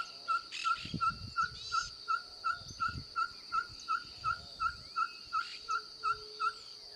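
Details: Ferruginous pygmy owl singing: a long steady series of short, clear, mid-pitched hoots repeated about three times per second at an even rhythm. Insects buzz continuously in the background and other birds chirp faintly.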